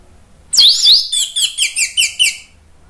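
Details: An orange-headed thrush, played as a lure or therapy to spur other birds to sing, gives two loud, swooping whistles, then a quick run of about six sharp, high, descending notes, all in under two seconds.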